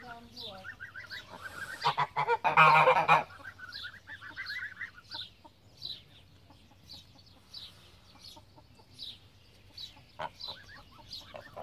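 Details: Pomeranian goose, a domestic breed descended from the greylag goose, gives a loud burst of harsh, nasal honks lasting about a second. Many smaller birds chirp and twitter quickly and repeatedly in the background throughout.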